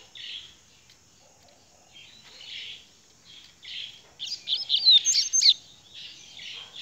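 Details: Rusty-collared seedeater song: soft buzzy phrases repeated at intervals, then a fast, loud run of sharp high chirps and slurred whistles lasting about a second and a half.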